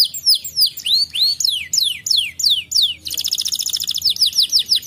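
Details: Song of a canary meant to encourage a lazy canary to sing: loud descending whistled slurs repeated about three per second, then an abrupt switch to a rapid high rolling trill ending in quick downslurs.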